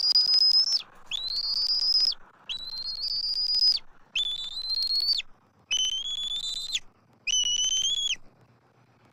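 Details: Adult eagles calling from the nest tree in Southwest Florida on 12 March 2024 as an immature intruder circles overhead. Seven separate high whistles, each roughly a second long and nearly level, spaced by brief pauses.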